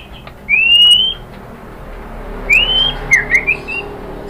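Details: White-rumped shama song used as a lure to provoke other birds into answering. A few clear rising whistles come first, then quick slurred notes, over steady background hiss.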